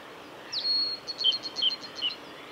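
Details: Blue-and-white flycatcher, a male, singing at Lake Miyagase's Kanazawa forest road, Japan, on 17 May 2020. A sharp down-slurred note opens a long thin steady whistle, punctuated by four evenly spaced lower short notes.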